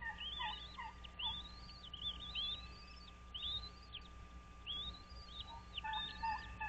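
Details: American bald eagles at their nest on Dale Hollow Lake, a reservoir on the Kentucky–Tennessee line, on 06.03.2023 at 06:05 from a nest camera: high, thin, rising-then-falling piping notes in quick repeated series, over a steady low hum.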